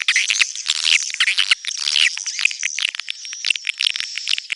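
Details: Swiftlet chatter in a neutral-sound recording: a continuous mass of high twittering and buzzy chirps, with a steady thin whine underneath and no clear breaks.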